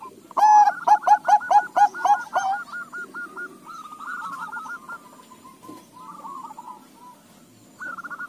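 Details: Bangkok and local crossbred zebra dove, answering the others, gives a loud run of short, rounded cooing notes for about two seconds. Fainter, similar cooing from other doves carries on behind it.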